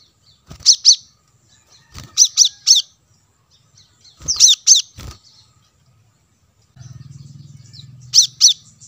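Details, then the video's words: Lure recording of a plain-throated sunbird (kolibri kelapa) for drawing in wild birds: clusters of two or three thin, piercing high chips every second or two, with a low hum near the end and soft thumps. "suara pancingan kolibri kelapa | manggar"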